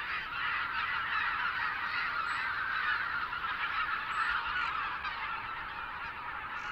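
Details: Canada geese, a rare vagrant in Belarus, on a pond in March in spring, honking together: many nasal, overlapping calls blending into a dense, steady chorus throughout, with no other distinct sounds.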